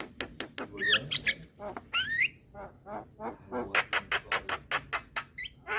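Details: Young white-eyed Javan myna calling eagerly with head-bobbing to lure hybrid mynas: rapid harsh clicks and rasping notes, a few rising whistled squawks near the start, then a steady burst of evenly spaced dry chacks.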